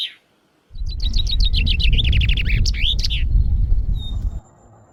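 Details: A common chaffinch (Fringilla coelebs) sings in its natural habitat, a bright run of about a dozen quick, falling notes over two seconds ending in a sharp flourish, above a low steady rumble.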